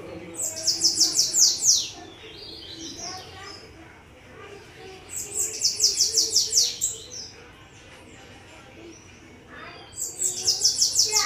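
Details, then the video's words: Several bananaquits singing: high, thin, buzzy trilled phrases of rapid notes, each lasting about a second and a half, repeated three times with pauses of about three seconds, over a faint low background hum. "VÁRIOS SIBITE CANTANDO"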